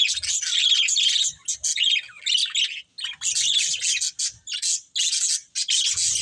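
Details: Budgerigars squawk and chirp in harsh, high bursts, some drawn out and others clipped, separated by short gaps.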